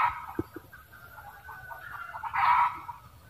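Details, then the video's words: Red junglefowl cackle: a loud harsh opening note, a run of softer clucks, then a second loud raucous burst near the end; a few low knocks early on. "เสียงไก่ป่า ร้องกระต๊าก"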